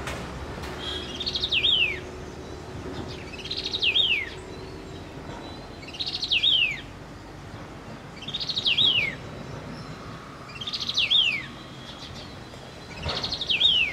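A streaked laughingthrush sings six clear, high whistled phrases, each rising then sliding down, repeated about every two seconds over faint background hiss.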